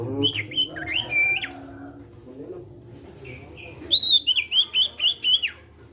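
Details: Ashy tailorbird, a sirtu of the cipow type in full voice, used as a model for other sirtu birds, sings warbling whistled phrases. Then comes a fast series of six or seven rising-falling whistles repeated about twice a second.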